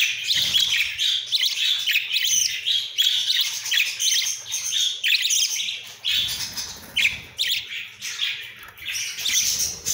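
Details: Captive young budgerigars, recently hatched and not yet full grown, playing and flying around, chatter and warble together in a busy, high-pitched stream of chirps and squawks.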